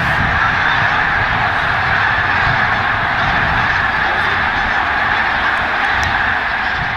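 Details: A milling mixed flock of greater white-fronted geese and bean geese fills the air with a dense, unbroken wall of overlapping honks and gabbling, loud and steady throughout with no pauses.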